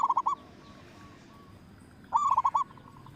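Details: Zebra dove of the local type, loud-voiced and used as a lure: two short, rapid bursts of four or five rolling coos, about two seconds apart, with faint single notes between.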